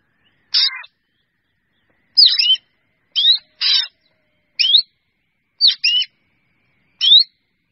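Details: A black drongo calls its flock in irregular bursts: a buzzy rasp, then paired squeaky notes mixing upslurred whistles and scratchy grating sounds, spaced about a second apart.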